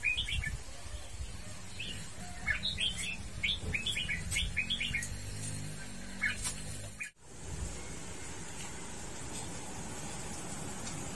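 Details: Red-whiskered bulbul giving a quick run of short, bright chirped notes that jump up and down in pitch for about four seconds, then a few scattered notes, over a steady low background hum.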